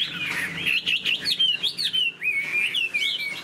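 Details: Captive Chinese hwamei spreading its tail and flicking its wings while it sings a loud, rich run of clear whistles that slide up and down in quick, varied phrases, with brief rasping notes between.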